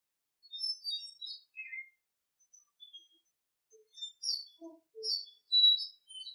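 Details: Oriental Magpie-Robin singing in the morning: sparse, quiet whistled and chirped notes, some high and thin, a few lower and softer, separated by short silences.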